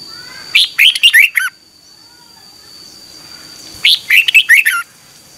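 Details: Morning song of a red-whiskered bulbul, a lure recording for training and stimulating competition singing; two bursts of quick, clear, warbled whistles about three seconds apart, each lasting under a second, over a constant thin high tone.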